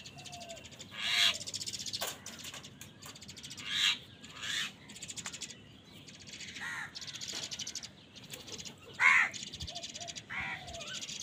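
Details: Crows squabbling over food give scattered harsh caws of varying loudness over about eleven seconds. A busy background of other chattering birds fills the gaps.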